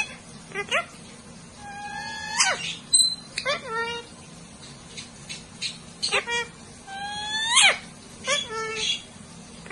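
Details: Parrots conversing like humans, trading a rapid series of voiced, speech-like syllables. Gliding harmonic notes mix with sharp rising whistles and short clicks, heard in irregular bursts throughout against a quiet room background.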